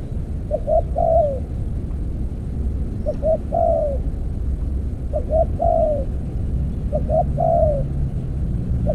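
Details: Spotted dove cooing during decoy trapping with an earthen cage. It gives a steady series of phrases, each with two clipped notes and a drawn-out downward coo, about every two seconds. Low rumble runs underneath.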